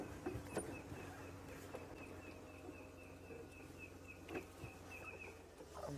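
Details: On a sunset game drive in Sabi Sands on June 29, 2016, a hard-to-spot, ground-dwelling Red-crested Korhaan gives a steady series of short, high ticking notes, about three a second, over a low rumbling vehicle engine.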